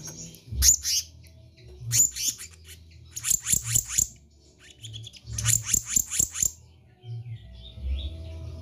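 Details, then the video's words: Black-naped monarch, locally kehicap ranting, singing actively: two opening sharp calls, then two rapid series of about six to eight piercing high notes each, separated by a pause, over a low continuous hum. "Kehicap Ranting GACOR"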